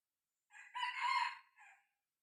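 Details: Young decoy red junglefowl cockerel, six months old, kept for luring wild birds, gives a single crow: a rough, rising then sustained call lasting about a second, ending in a brief, softer tail note. Quiet background.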